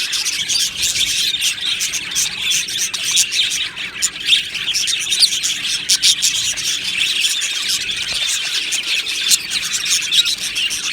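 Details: Budgerigar colony in an aviary, a crowd of happy birds producing nonstop high-pitched chirps and rapid ticking notes layered into a steady, busy chorus.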